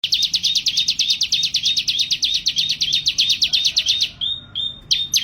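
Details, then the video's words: Crescent-chested puffback in full song: a fast run of sharp, high chirped notes, roughly thirty in four seconds, then a few short level whistles with brief pauses. "SUARA BURUNG CIBLEK GACOR"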